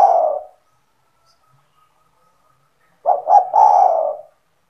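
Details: Spotted dove (tekukur) belonging to a keeper, calling actively to lure other doves: the tail of one low coo, a short silence, then a full phrase of two quick notes and a long mellow falling coo.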